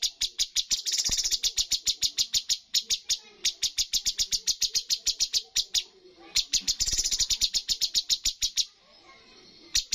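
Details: Sooty-headed bulbul (cucak cungkok) competition bird delivering full 'tembakan' song rated highest points in a bird contest: long runs of sharp, rapid, high chipping notes fired in quick succession, with two brief pauses near six and nine seconds.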